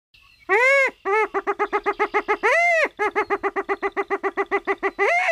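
Black grouse: two drawn-out nasal notes, then a quick run of short honking notes, about four or five a second, ending on another long note.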